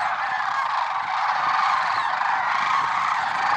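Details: Large flock of lesser sandhill cranes at Merced National Wildlife Refuge, early morning on February 6, 2023, producing a continuous, evenly loud murmur of overlapping purring and trumpeting calls.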